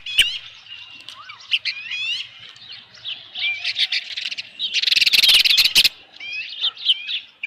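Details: Ospreys calling at a ranch nest on a July 2018 evening as a headless fish is delivered: curved, whining whistles and chirps, broken by a second-long rush of wing-flapping or rustling noise.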